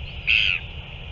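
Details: Single drawn-out, flat, nasal note lasting about a third of a second from a northern royal albatross at a feeding on 9 February 2024, set against constant background hiss.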